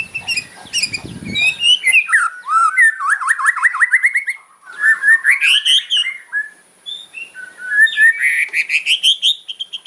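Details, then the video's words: Hard kretekan song of a white-rumped shama, sharp fills meant to anger opponents: mixed chatter and ticking, then long runs of quick rising whistled sweeps repeated in bursts, with a low rumble early on. "KRETEKAN MURAI KERAS FIGHTER ISIAN TAJAM BIKIN LAWAN EMOSI"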